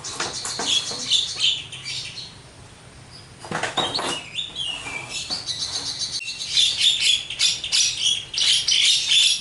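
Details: Javan myna singing vigorously with its full repertoire: loud bursts of harsh chatter and clear whistled phrases, with a quieter gap in the middle before a dense, bright stretch of warbling and chatter.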